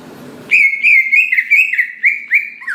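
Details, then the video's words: Greater green leafbird whistling to provoke other leafbirds to sing: a sustained, clear, almost level whistle broken into linked slurred notes, ending with a lower drop. "Cucak Ijo Gacor Paling Pintar Memancing Cucak Hijau Lain Agar Cepat Bunyi Gacor"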